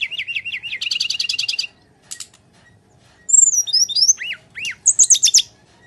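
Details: Brown-chested jungle flycatcher in battle song for luring lazy birds: a wavering whistled motif flows into a buzzy rattle, then looping high whistles, deep falling slurs and a final rapid trill.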